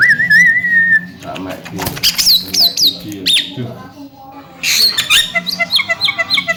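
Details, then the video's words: Javan myna, a talkative young bird described as able to talk and a future contest champion, giving a wavering whistled note, then harsh squawks and quick upslurred chirps, with a low steady hum behind. "BURUNG JALAK KEBO CALON JUWARA || CERWET DAN BISA NGOMONG"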